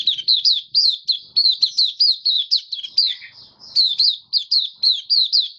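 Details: Caged white-eye, recorded 18 May 2022 after regular deworming and health supplements, in 'buka sing' song: clean, evenly spaced sharp high notes in a brisk series, one lower slurred note midway, quiet background.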